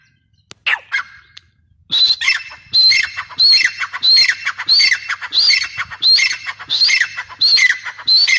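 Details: Grey francolin, described as chick calls: harsh, ringing two-part notes repeated steadily, roughly one and a half per second, after a brief scratchy start.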